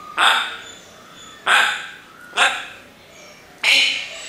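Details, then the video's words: Four abrupt, rasping word-like bursts come from a parrot mimicking human speech, spaced roughly a second apart, each starting loud and quickly fading. "can you find out what is this Parrot saying?"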